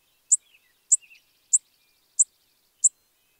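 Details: Spizella sparrow repeating single sharp, very high chip notes at an even pace, five in just over three seconds, with faint soft twitters in between.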